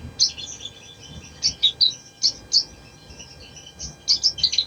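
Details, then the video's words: Ruby-cheeked sunbird (sogon, sogok ontong) singing, used as a lure to get a lazy bird singing: sparse, very high thin chirps and twitters in short bursts separated by pauses, with a faint low hum behind. "SOGON | SOGOK ONTONG | PANCINGAN AGAR CEPAT BUNYI | MALAS BUNYI JADI RAJIN BUNYI"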